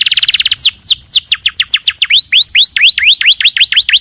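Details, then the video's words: Canary song used to lure a reply from another canary: a burst of rapid notes, then varied looping whistles, down-slurs and upswept notes repeated several times per second, bright and loud throughout. "PANCINGAN SUARA BURUNG KENARI GACOR LANGSUNG NYAUT!!"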